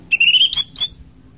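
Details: Orange-headed thrush song fragment from a lure recording for caged birds: one clear, high whistled note held steady, then two quick buzzy notes.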